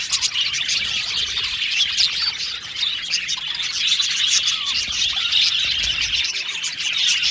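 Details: Many caged male budgerigars chirping at once in an aviary colony, busy scratchy warbles and sharp tweets running throughout, with a few louder bursts and a short softer stretch.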